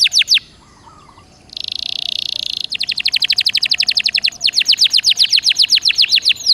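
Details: A canary (Serinus canaria) sings gacor dor nembak style to encourage other canaries: after a short pause comes a sustained buzzy trill, then an accelerating rattle of very rapid clipped whistles repeated many times per second.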